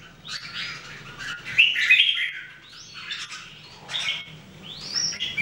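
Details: Three Red-whiskered Bulbuls (jambul) in daily singing training, 2018: bright chirped and warbled phrases, mostly high, with quick upslurred whistles and gaps between bursts.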